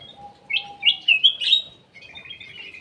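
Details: Ruby-throated bulbul (cucak emas) song used as a lure, from an aviary bird: four loud, quick, liquid whistled notes, then a softer trailing warble. A faint steady low whistle runs underneath.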